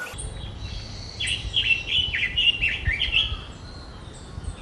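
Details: Forest bird singing a fast jumble of high chirps and twittering notes for about two seconds, set against a steady low rumble and background hiss.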